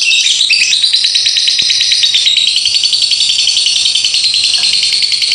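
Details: Lovebird delivering extended ngekek konslet singing: a continuous, high-pitched, rattling chatter of rapid notes with a few brief rising squeaks at the start, steady and unbroken to the end.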